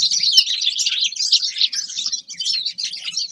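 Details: Songbird song from a Grey-crowned goldfinch: a fast, high, chattering stream of chirps and buzzy trills with barely any gaps.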